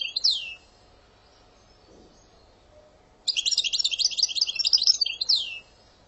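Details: European goldfinch singing in Algerian style: a falling whistle at the start, a pause, then a rapid, high, jingling twitter of about two seconds that ends with another downward sweep.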